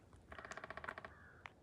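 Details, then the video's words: A woodpecker unseen up in a tree by a creek on a snowy New Year's Eve forest hike in Michigan gives a quick, even burst of about a dozen hard taps in under a second, then a faint thin tone and one last sharp knock. "And you can hear a woodpecker up in the tree."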